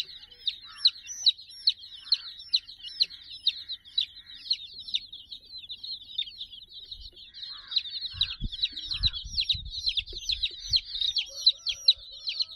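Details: Sixty baby chickens playing over a soft toy puppy; a constant shrill peeping chorus of short down-slurred notes throughout, joined after eight seconds by low rustling and thumping.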